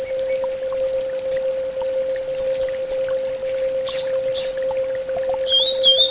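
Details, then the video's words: Orange-headed thrush song of short, high whistled notes in quick groups, each phrase slightly lower or higher than the last, ending in rising-falling whistles, over a steady low hum. "SUARA TERAPI BURUNG ANIS BATA"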